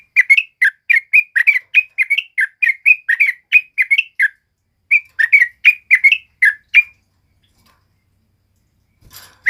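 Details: Lively sooty-headed bulbul male song for tutoring or provoking other birds: two quick runs of bright, slurred chirps separated by a short gap, then silence and a single final note.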